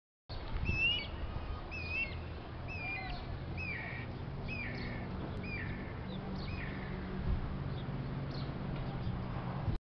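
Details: Guira cuckoos perched on a neighbour's antenna by an apartment building in Fortaleza, Brazil, give short, descending whistled notes, several each second, fading after about seven seconds, over a steady low rumble of traffic.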